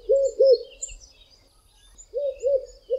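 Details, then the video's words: Red-eyed doves, two singing from the tops of tall trees on a hot day, sometimes together, give the "I am ... a red-eyed dove" song: low hollow coos, two quick arched notes, a pause, then three rolling notes, faint chirps behind. "RED-EYED DOVE singing "I am ... a red-eyed dove""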